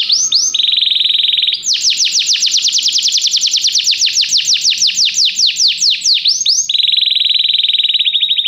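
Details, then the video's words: Song of a canary, intended to make a listening canary start singing: a steady buzzy trill, then a long stretch of fast high sweeping notes slowing gradually, returning to the steady rolling trill. "Este canto canário inspira o apetite do seu canário para cantar imediatamente"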